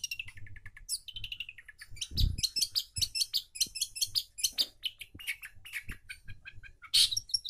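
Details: Long-tailed shrike in full song, used as a lure to restart a silent bird: repeated whistled chips and downslurred notes, then fast, dense high chattering and buzzy phrases, with a few low thumps.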